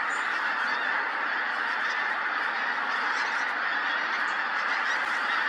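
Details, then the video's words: Large gathering of pink-footed geese at Montrose Basin repositioning on the ebbing tide; a steady wall of overlapping honks and yelping calls runs throughout, with a few higher squeaky notes. "Pink-footed Geese"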